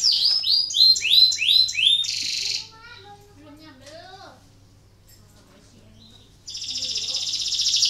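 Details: Canary in breeding condition singing, a lure song meant to stimulate other canaries to sing: loud, rapid repeated high swept notes, then a buzzy trill, a pause with fainter lower notes, and another dense rattling trill at the end.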